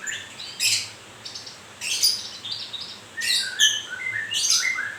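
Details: White-rumped shama, murai in fresh moult, alternates scratchy high bursts with clear whistled notes, four phrases each separated by a short pause.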